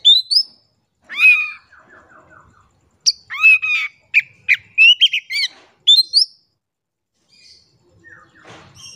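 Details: Oriental magpie-robin lure song for silent birds: varied harsh squawks, a descending series of rasping notes, upward whistles and abrupt chirps, delivered in scattered bursts with silent gaps.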